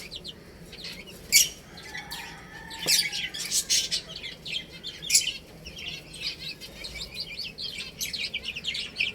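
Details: Chicks eating and drinking, with bursts of high peeps from several birds, uneven pecking clicks, and a brief lower tone near the middle.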